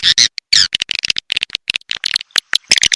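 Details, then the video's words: SP Cina-style swiftlet response call: two strong opening chirps, then a rapid patter of short clicks and small squeaks, irregular and closely spaced, with a few louder chirps toward the end. "SUARA PANGGIL RESPON||SUARA WALET RESPON"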